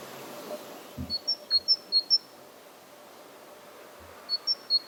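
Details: Great tit (Parus major) singing its loud, clear two-note 'tee-cher tee-cher' phrase, high, thin notes alternating in pitch, about seven in a run, a pause, then the phrase resumes; a few soft thuds in the background.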